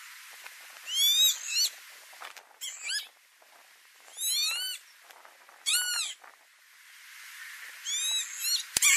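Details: Northern lapwing (Vanellus vanellus) calling at tulip fields in Noordwijkerhout, Netherlands, in May 2018: wheezy, slurred 'pee-wit' calls that swoop up then drop, about five or six in quick succession every one to two seconds.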